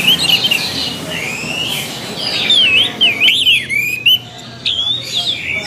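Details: Orange-headed thrush song used for training another bird's voice: varied warbled whistles sliding up and down over a steady hiss of background noise.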